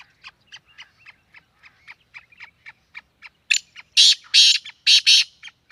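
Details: Black francolin from Sindh, Pakistan: a run of soft, evenly spaced ticking pulses gives way to loud, grating, buzzy notes in a tight cluster near the end.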